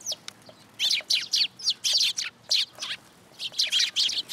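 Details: Sparrows flocking in to be fed at a Tenmangu shrine on 10 July 2022, giving a rapid run of bright, harsh chirps in quick bursts, several birds overlapping with brief gaps.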